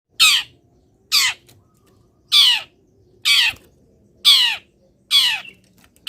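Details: Caged long-tailed shrike singing in morning sun after its cover is lifted and it is misted; loud harsh rasping notes, each sliding downward, delivered about once a second in a steady series.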